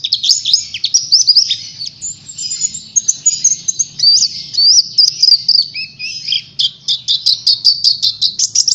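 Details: An Oriental white-eye sings a lure song for other birds: a high, busy warble of thin chirps and slurred whistles, then a rapid series of short, even, repeated notes near the end.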